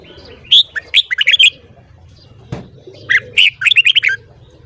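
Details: In the morning a red-whiskered bulbul sings two energetic phrases of quick, bright, slurred notes, one early and one late, with a soft thump between them and light background murmur.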